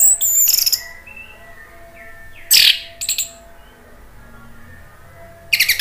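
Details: Orange-headed thrush giving brief, loud, high scratchy bursts separated by pauses, with faint soft whistles between them and a low steady hum underneath; a provocation recording meant to make other orange-headed thrushes sing.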